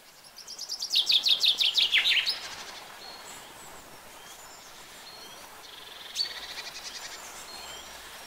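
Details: A single common chaffinch phrase: about a dozen fast, bright notes tumbling downward, finishing in a brief terminal flourish, followed by quieter scattered bird notes against soft background hiss.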